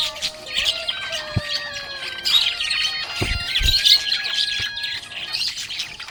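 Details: Cheerful budgerigar warbling continuously in a buzzy, high, twittering stream with scattered clicks. Sustained low tones sound in the background.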